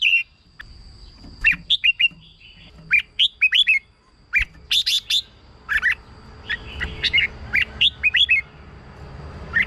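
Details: Red-whiskered bulbul, recorded as a decoy or to make caged birds lively: sweet whistled warbling phrases and a burst of sharp chirps, delivered in irregular bouts over soft background hiss and a faint steady tone.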